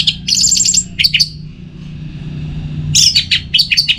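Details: Orange-headed thrush singing to prompt other birds: rapid high trilled bursts, a short pause with faint background hum, then renewed sharp chirping phrases.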